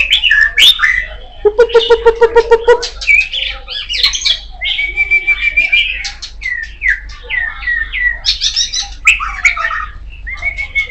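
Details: Kacer poci (Oriental magpie-robin) delivering a loud, varied song: a quick buzzy rattle, then a long flat whistle and many choppy chirps and squeaky warbled phrases repeated in rapid bursts.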